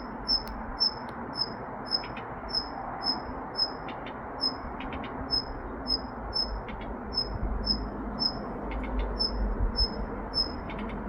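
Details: Daurian redstart repeating sharp, thin whistled notes roughly twice a second, broken by brief clusters of dry ticking clicks, with constant low background noise throughout.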